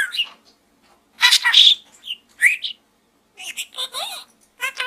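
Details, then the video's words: Pet budgie talking inside a small gourd, a few scattered chirps and buzzy mimicked syllables broken by silent gaps, ending in clipped rapid notes. "Bird Talk in the small gourd"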